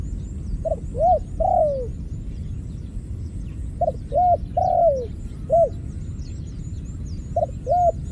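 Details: ['Ground dove, from a trapping where two were caught and one fled, repeating a phrase roughly every three seconds: two or three short rising-falling coos then a drawn-out descending coo, with soft high chirping of other birds behind.']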